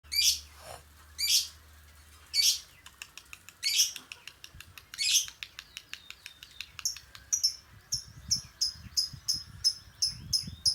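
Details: Lovebird chirping, played to bring a bird into breeding condition before a contest: loud buzzy high bursts repeated about every 1.3 seconds, then faster clipped ticking notes and a run of short sharp chirps.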